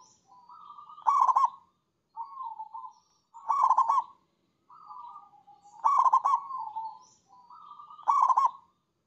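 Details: Zebra dove performing a long manggung coo: gentle low cooing phrases alternating with bubbling, rapidly pulsed trills, the pattern repeating roughly every two seconds against silence.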